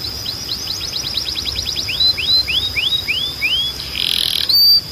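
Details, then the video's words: Training song for young canaries: an accelerating series of short falling notes followed by six slower, evenly spaced rising whistles, then a harsh buzzy burst. "Melhor Som de Canário Para Treinar"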